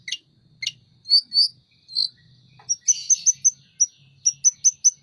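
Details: Sunda robin singing hard and spreading its wings: a few buzzy notes, then a run of short clear whistled notes repeated in quick succession, rising slightly in pace.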